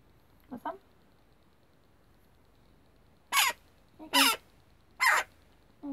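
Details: Hand-fed rescued baby jackdaw (Corvus monedula) begging for food: harsh, raspy begging calls, three loud bursts about a second apart after a couple of fainter notes.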